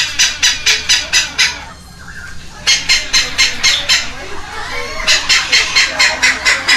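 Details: Red-lored amazon babies, two of them, begging while being fed at a rescue ranch in Heredia Province, Costa Rica, May 2022; evenly spaced harsh squawks repeat about twice a second in three long runs.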